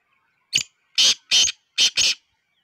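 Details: Black francolin, known locally as kala teetar, giving a harsh rasping call: one short note followed by two pairs of loud, broad, grating notes over about two seconds, in otherwise quiet surroundings.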